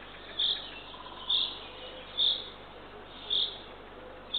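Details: At dawn on 3 June 2023, a female Eurasian eagle-owl feeds the third chick at a camera-monitored nest in Northern Estonia. Four or five short shrill hissing notes sound at roughly one-second spacing.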